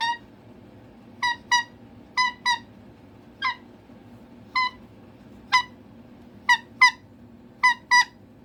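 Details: Pet cockatoo demanding attention indoors, sharp squawks in ones and twos spaced roughly a second apart, each bright and abrupt.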